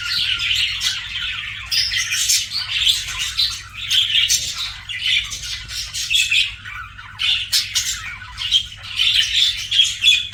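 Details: Chattering pet budgies: bursts of scratchy, squeaky chirps and harsh squawks come in uneven waves, separated by short quieter gaps, several birds seeming to call at once.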